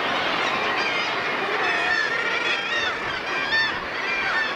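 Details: Common murre (Uria aalge) breeding colony on the Látrabjarg bird cliffs, Iceland: many overlapping harsh, nasal, growling calls rising and falling without pause, with a steady background roar.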